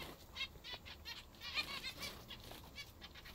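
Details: Captive zebra finches eating their favourite food, giving faint short nasal beeping calls scattered every half second or so, amid soft rustling and pecking noises.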